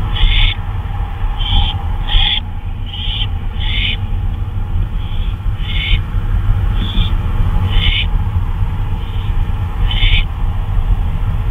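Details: An owl on a nighttime flyabout, 2:39 AM on May 26, 2013, calls repeatedly with about a dozen harsh, breathy screech bursts roughly every second, over a constant low rumble.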